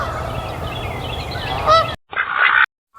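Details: Goose honking: a steady noisy background with a brief nasal honk near the middle, then after a short gap a louder, sustained honk with a tonal, reedy quality.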